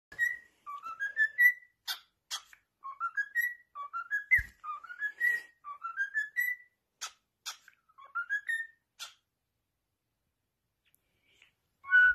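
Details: A tame pet cockatiel sings happily, whistling a tune of short phrases, each climbing in quick steps, separated by sharp clicks.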